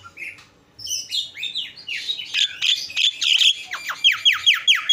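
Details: Song of the Javan myna, dense and jumbled: scratchy, chattering notes building in loudness, ending with a string of sharp downward-sweeping whistles repeated about twice per second.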